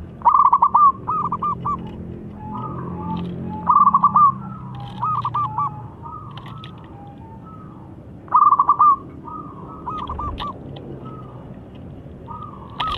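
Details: Zebra dove of local stock singing strongly, its long song meant to prompt reluctant birds; repeated loud bursts of rapid coos every four to five seconds, each followed by softer rolling phrases, with scattered higher chirps.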